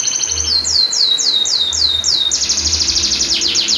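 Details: Canary song used as a long-roll tutor to trigger and train silent canaries: series of falling whistled sweeps, then a fast rapid trill of repeated notes, with faint low hum beneath.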